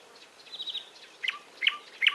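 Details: Wild bird voices: a thin, rapid trill of high notes, then three sharp, down-slurred chirps, each trailed by a lower short note, spaced about every 0.4 seconds.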